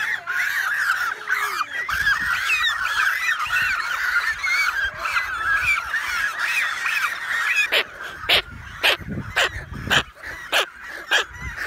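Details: Large American white pelican and cormorant breeding colony on a remote Canadian island, June 2018, iPhone 7 Plus: a dense chorus of overlapping raspy calls, then sharp clicks and bumps toward the end.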